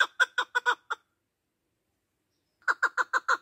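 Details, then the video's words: Partridge voice used as a hunting lure, male bird; two short bursts of fast chuckling clucks, about six each, separated by more than a second of silence. "Голос куропаток-Наркабки масти девона Partridge voice to hunt"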